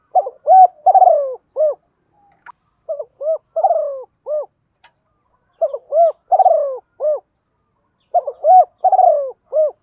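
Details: Decoy spotted dove calling daily to stir up wild doves: three repeated phrases about three seconds apart, each a run of hollow coos with a drawn-out falling note before a clipped ending.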